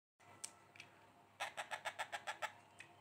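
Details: Female rose-ringed parakeet chick, seven days old, begging while being hand-fed: a quick burst of eight raspy chirps, about seven a second, after a few scattered single notes, over a low hum.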